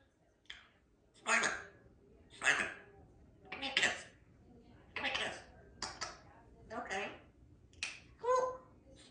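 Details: A talking pet female Congo African grey parrot, whose favourite phrases include "give me a kiss", speaks in short, clipped, speech-like bursts, roughly one a second, with clicks and a whistled note near the end.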